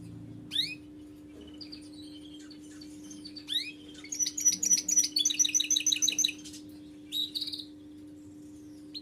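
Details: Canary song starting with scattered sharp upward-sweeping chirps, building into a rapid two-second trill of bright, high, repeated notes, then one final chirp, with a constant low hum underneath.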